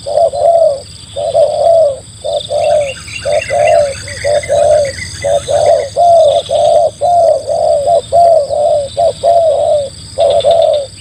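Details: Luring call of a spotted dove for trapping wild doves, a long run of soft, hollow coos repeated about once a second, evenly pitched and slightly rounded, with a faint chattering bird and a high steady whine in the background.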